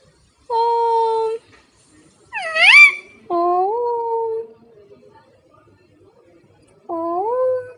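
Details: Pet parrot talking and making kissing sounds to its owner: separate drawn-out, whistle-like vocal phrases, one sharply rising and squeaky in the middle, with quiet pauses between them.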